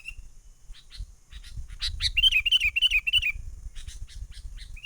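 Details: Sooty-headed bulbul, wild, lure call used for trapping, menggaruda style: scattered chirps build into a rapid rollicking sequence of bubbling, wavering notes lasting over a second, with low background rumble.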